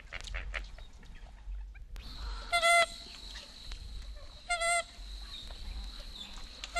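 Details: American Coot from eastern and central North America giving two loud, harsh, nasal honking notes about two seconds apart, with faint clucks and a steady high hiss in the background.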